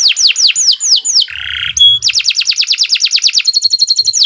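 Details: Canary singing 'gacor panjang', long non-stop song meant as a master recording for tutoring other birds: five loud downward-swept whistles, a buzzy rasp, a clear tone, then rapid rhythmic repeated notes shifting into a higher, faster trill.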